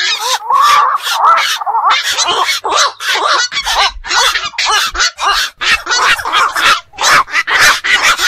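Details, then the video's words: Black-crowned night herons, wetland and pond birds active at night, keep up a long chattering barrage of raspy squawks and bent nasal notes, tightly spaced and overlapping, over a faint low rumble. "বাকচু পাখির ডাক. নিশি বক এর ডাক. 4 রাত জাগা পাখির ডাক"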